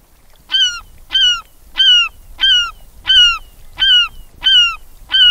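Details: A single Glaucous Gull, recorded medium close-up with another gull in the background, gives loud, harsh, slightly descending honking calls, about one every 0.7 seconds, with a low rumble of water beneath.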